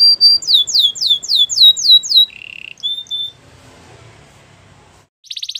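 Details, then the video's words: Canary singing a quick series of sharp downslurred whistles, a short low buzzy trill and a brief level note, then near silence before a final buzzy burst. "Canary bird sounds | Your canary will sing a lot"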